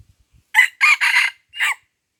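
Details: Red junglefowl in Lamteuba, Aceh, crowing during a trapping session with a decoy bird: one loud, short crow of four hoarse, clipped syllables, the last set apart after a brief pause, against a silent background.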